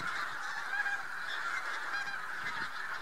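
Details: Bean Geese, with a few White-fronted Geese, massed on spring passage in central Poland, 3–4 March 2018; a continuous wall of overlapping honking calls from many birds, steady throughout.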